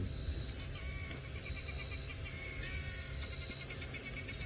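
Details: Guineafowl at a South African game reserve near Kruger Park at sunset in early March, sounding agitated, possibly alarm-calling: harsh, rapid cackling bursts in uneven runs, over a steady low engine-like rumble.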